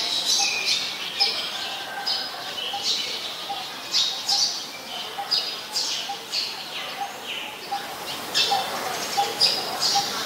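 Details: Busy stream of high, dry chirps by a Eurasian tree sparrow (Passer montanus), Ubon Ratchathani, Thailand, 10 May 2020, bursts clustered and irregular, while a soft lower note repeats steadily in the background.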